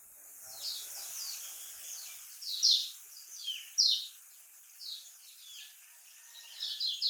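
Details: Lemon-bellied white-eye in the Lombok song style. Rapid high chirps and twitters sit over steady background hiss, with louder sharp notes near the middle and end.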